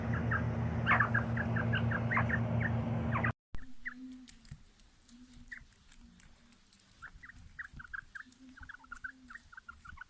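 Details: A new quail readied for fighting gives short, high chirps, about four per second, in quick uneven bursts over a steady low hum, with a burst of rough noise at the start.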